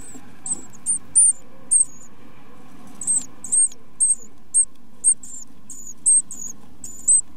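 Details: Great tit chicks being fed by their parents give very high, thin squeaky notes in short bursts, about a dozen over seven seconds, above a low steady hum.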